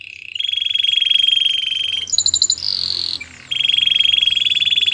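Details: Canary singing for training: steady buzzy rolling trill held for over a second, a brief burst of higher chirps and a shriller buzz, a short pause, then the rolling trill again over light background noise.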